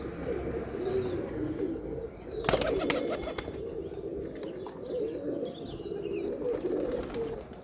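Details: Low pigeon cooing runs throughout, interrupted by a loud clatter a few seconds in, with thin high chirps of small birds above.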